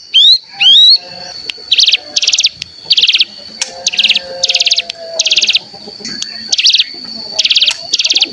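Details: Mountain ciblek decoy featuring the natural bren trill meant to set other cigun trilling. Two rising whistles open, followed by a series of short, dense buzzy trills repeated roughly every half-second to second.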